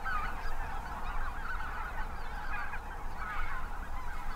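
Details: Tens of thousands of migrating geese, mainly Snow and Greater White-fronted with Ross's, Canada and Cackling, at North Ottawa Impoundment, Grant County, Minnesota, in early spring. Dense overlapping honking and yelping under a strong south wind of about 25–30 mph.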